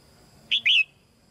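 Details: A single song phrase from a caged female red-whiskered bulbul singing to encourage young birds: a sharp whistled note followed at once by a longer, bright, downslurred whistle.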